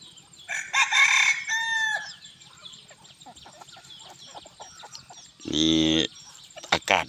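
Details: Evening crowing of bantam chickens on a hot day in Bueng Kan, Thailand: a raspy segmented crow, faint small-bird chirps, then a second, more tonal harmonic crow later on.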